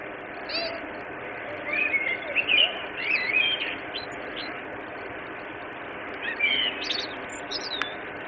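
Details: Common blackbird in Tensta, Sweden, on 11 February 2015 around 17:00, giving short, fluty warbled phrases that end in thin, squeaky high notes, a few seconds apart, over a steady background hum.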